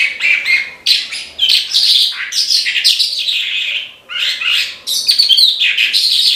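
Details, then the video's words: A branjangan, or Horsfield's bushlark, singing gacor: continuous high, scratchy warbling with quick trills and buzzy whistles, briefly dipping around four seconds before resuming at full strength. "BRANJANGAN GACOR TIADA LAWAN"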